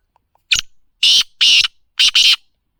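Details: Black francolin, known locally as kala teetar, calling: a short harsh note, then two longer rasping grating notes, then a quick close pair, in a quiet setting.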